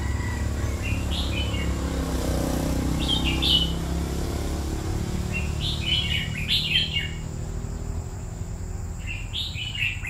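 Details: Red-whiskered bulbul, a caged bird kept two years, giving scattered chirpy warbled phrases, the busiest stretch after six seconds, over a constant low rumble of background noise.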